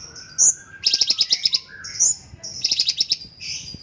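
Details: Cucak cungkok, the stripe-throated bulbul, alternates clear high whistles with rapid bursts of buzzy, chattering notes that come in quick runs of eight to ten.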